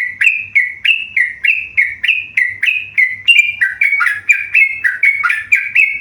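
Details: Tame yellow-vented bulbul in steady song: a long train of bright whistled notes with abrupt onsets, alternating slightly higher and lower, turning more varied and dipping lower toward the end.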